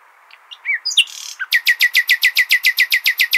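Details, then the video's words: Hasniya-style nightingale song used to train goldfinch and hybrid chicks: scattered whistles and a brief rasp open into a steady, rapid volley of identical loud notes, about three or four per second. "اجمل تغاريد العندليب ( الحسنية )"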